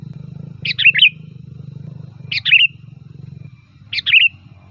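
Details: Loud varied sooty-headed bulbul song, used as a lure and for tutoring: three bright bubbly whistled phrases, roughly every one and a half seconds, with a continuous low droning hum behind.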